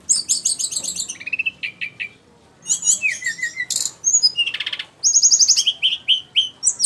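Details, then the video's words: Flycatcher (sikatan rimba) pouring out a fast, energetic medley of very high twittering trills and repeated chirp groups, with short breaks and a buzzy rattling burst near the middle. "burung sikatan rimba"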